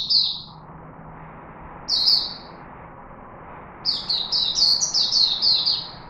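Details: Singapore cage-bird chickadee recorded 4 March 2021: two lone high downslurred whistles spaced apart, then a rapid sequence of about seven bright descending whistled notes. A soft background hum runs throughout.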